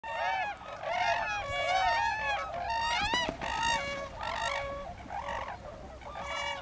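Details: A flock of tundra swans at Lake Mattamuskeet on 13 January 2013 gives high, musical, yelping hoots, many birds overlapping in a steady chorus of bugling notes.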